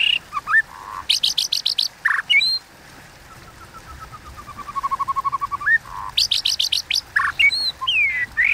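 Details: White-rumped shama in competitive kéo thuốc lào singing: bursts of high buzzy notes with whistles, then a long, even trill of low repeated notes, followed by more buzzy runs and looping whistles.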